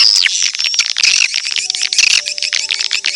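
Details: Edible-nest swiftlet calls played to attract swiftlets: opens with a high whistle sliding downward, followed by dense buzzy twittering and scattered sharp chirps.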